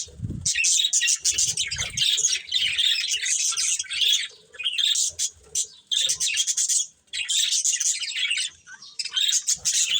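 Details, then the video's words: Bright budgerigars chirp in long bursts of scratchy, high-pitched warbling separated by short silences, with a few low bumps at the start. "Colourful Budgies Chirping Sounds"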